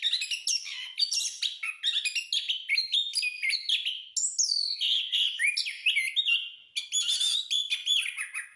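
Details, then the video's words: Orange-headed thrush singing continuously as training audio for caged birds: loud, fast medley of slurred whistles, chattering bursts and descending notes, delivered without pause. "anis/punglor gacor putar agar anis anda langsung ikut bunyi"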